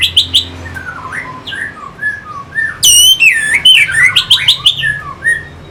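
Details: Song of an orange-headed thrush, played to provoke fighting birds: soft slurred whistles give way to a loud, rich burst of ringing, overlapping notes sliding downward, then quick repeated chirps; steady low background hum.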